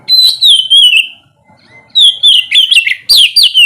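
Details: Magpie-robin morning song meant to get lazy birds singing: a long descending whistle, a pause with a faint soft note, then rapid choppy whistled phrases dropping in pitch.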